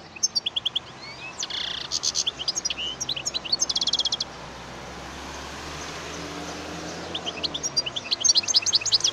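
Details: European goldfinch singing: bursts of rapid, tinkling, high twittered notes mixed with buzzy trills, a first phrase lasting about four seconds, a quiet pause, then a second twittering burst near the end over faint background hiss.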